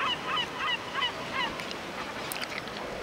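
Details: At Alvor, Algarve, Portugal, a yellow-legged gull with three juveniles gives quick nasal, squealing calls, about three a second. After a second and a half they fade into faint higher notes.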